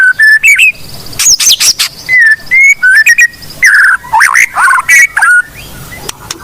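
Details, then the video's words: Caged white-rumped shama of the blorok type delivering a varied training song of whistles, swoops and sharp high flourishes in irregular bursts. "Murai Blorok Gacor Bongkar isian Pancingan Burung Murai Batu Bahan"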